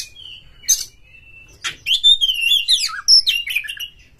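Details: Oriental magpie-robin song used as a lure: a sustained thin whistle broken by rasps, then a rapid cascade of twisting, rising and falling whistled notes.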